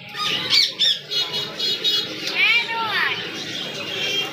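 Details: Hill myna kept for sale in a shop in Cumilla, Bangladesh, answering a man's prompt by repeating its owner's name once in a swooping, voice-like phrase. The man's speech comes first, with room noise throughout.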